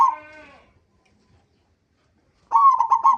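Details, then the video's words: Local zebra dove lure song meant to set other zebra doves singing: a single drawn-out, fading coo, a two-second silence, then a fast stuttering trill of cooing notes. "pancingan perkutut lokal gacor AMPUH pandai BIKIN semua BURUNG PERKUTUT GACOR RAJIN BUNYI"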